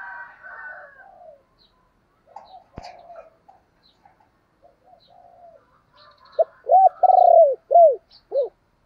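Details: Spotted dove used as a decoy calls. Soft scattered chirps and a sharp click come first. Then a loud run of low cooing notes follows, with arched short coos around one longer, slightly rolling coo.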